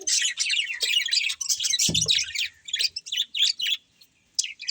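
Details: Budgerigars chirping in quick bursts of high twittering notes, about three or four per second, thinning to scattered chirps with short silences and one low thud midway.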